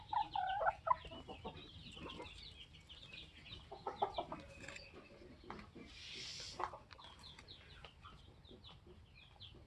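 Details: Polish layer hens aged 21 weeks with their protective rooster: loud, uneven clucks and squawks crowd the opening seconds, with a hissing noise midway and scattered clicks after.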